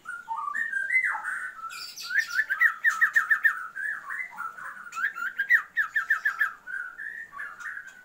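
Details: Female Oriental magpie-robin calling to a male to raise his breeding drive: rapid runs of short slurred whistled notes around mid pitch, several per second, with a few higher chirps over the top.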